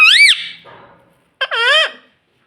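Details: Pet green ring-necked parrot talking indoors: a loud, harsh, arching squawk-like utterance, a pause, then a second longer rising-and-falling vocal phrase rich in overtones, in a quiet room.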